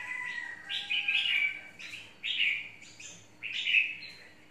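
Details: Untrained red-whiskered bulbul in a long cage, called very feisty and waiting for a rival to charge over, sings three loud warbled phrases about a second apart, with faint thin whistles between.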